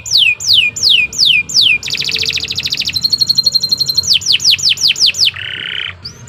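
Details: Kenari Nusantara canary in long, full song: series of sharply descending whistles, a dense buzzy trill, rapid rolling notes, more falling whistles and a brief harsh buzz, strong and continuous.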